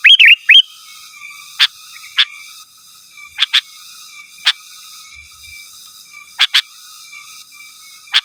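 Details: Sooty-headed bulbul in lively song calling rivals, a pure recording; opens with a short bubbly whistled flourish, followed by scattered single and paired sharp notes spread over several seconds, against a steady faint hum.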